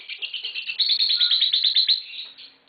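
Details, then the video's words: Green Fischer's lovebird giving a fast, even run of shrill, rapid chirps that speeds up into a continuous twittering trill, then fades. "Lovebird Singing & Chirping Sounds - Green Fischer Pair"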